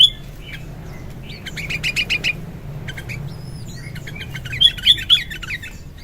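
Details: Sooty-headed bulbul singing in the morning: bursts of quick chattering chirps and a few sliding whistles, with short bright phrases recurring several times a second, over a low hum.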